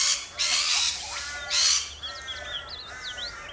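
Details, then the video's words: In Australia, rainbow lorikeets let out two long, harsh, hissing screeches, followed by quieter twittering and short slurred whistles from several birds. "Rainbow Lorikeets"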